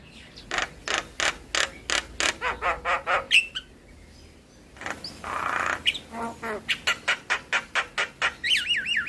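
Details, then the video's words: Javan myna song used to draw other mynas into singing: rhythmic rasping notes, a pause, a hissing burst, then more chatter ending in a wavering whistled trill. "PAncingan Burung Jalak Bisu Jalak MAlas Bunyi Dengan Suara Jalak Kebo Full isian"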